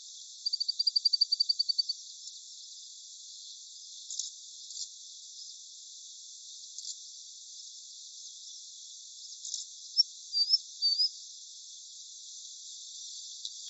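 Indian bush lark giving a quick, high trill of about a dozen evenly spaced notes, then a few thin, high chirps after a pause. The background is otherwise quiet.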